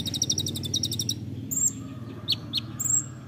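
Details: Olive-backed sunbird (kolibri ninja) in the nembak rapat style, recorded to train songbirds: a high rapid trill lasting about a second, then sparse thin whistles and sharp chips over a low background hum.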